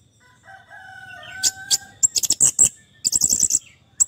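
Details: Orange-headed thrush song, offered as therapy for a stressed, silent bird: soft sustained whistles give way to rapid, sharp high chips delivered in quick clusters, with a faint low hum beneath.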